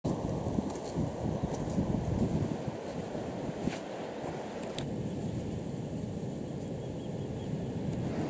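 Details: Steady wind noise and rolling surf on the Galápagos coast, with no animal calls heard.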